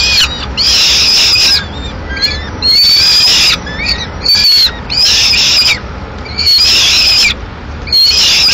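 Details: In Madrid, a female peregrine falcon reaching the nest mid-morning with leftover pigeon prey utters long screechy, rasping bursts roughly every one to two seconds, separated by short quiet gaps and faint whistles.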